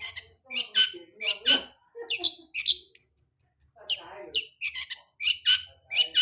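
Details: Lure song of a long-tailed shrike for birds just out of moult: rapid, rasping chatter with scratchy bursts and brief clear whistles, repeated at an uneven pace with short gaps.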